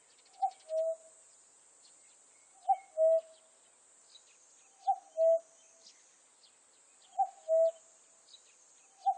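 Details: Common cuckoo calling its two-note cuckoo: a sharp higher first note dropping to a longer, lower second note. Four pairs are repeated about every two seconds over a steady high hiss, with faint chirps of other birds or insects.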